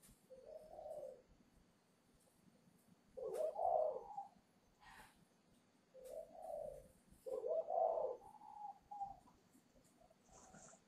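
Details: Farm-kept spotted dove in Ba Vì, Hanoi, voice just breaking, readied for a buyer on 10 November; a repeated pattern of a short soft coo followed by a louder rolling coo, given twice, with a faint higher trailing note.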